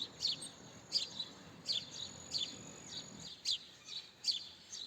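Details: Single house sparrow chirps, sharp and high, spaced roughly every three-quarters of a second over a soft hum that drops away midway.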